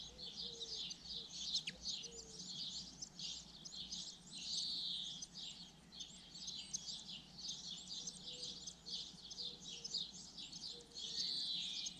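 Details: Common linnet song: a long, continuous, rapid twittering of high chirps and short trills that keeps going almost without pause, with a quieter low whistling note recurring in the background.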